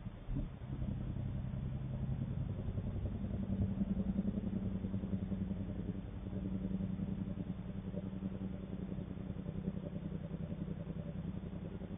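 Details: A steady low engine rumble of a passing vehicle fills the whole stretch, with no animal voice standing out.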